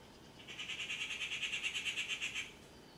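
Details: Rufous treepie delivering a fast, rattling series of around twenty harsh, identical notes, roughly eight per second, lasting about two seconds, with a quiet background.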